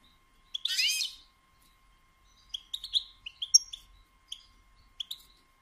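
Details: Female goldfinch batbata, used to encourage males to sing and mate. One harsh, nasal buzz of about half a second opens, then a loose series of short, high, tinkling chirps and twitters follows.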